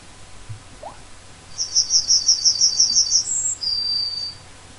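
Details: Yellowhammer singing a rapid string of about nine bright, evenly spaced notes, then a short higher note and a sustained, slightly lower closing note. A faint low hum runs underneath.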